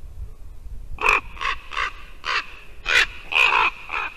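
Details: Ravens at a Latvian white-tailed eagle nest on a December 2019 morning. Seven hoarse, grating croaks in a steady series about a third of a second apart, loud and close, one of them described as sounding like a rusty hinge.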